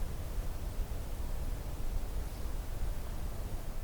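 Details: Low rumbling hiss with soft rustling runs throughout, and no animal voice is heard.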